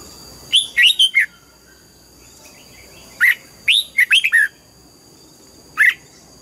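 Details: Singing red-whiskered bulbul at morning, wild-style double notes: a rolling four-note whistled phrase, a pause, a single note, then another quick tumbling phrase of four or five notes and a final lone whistle.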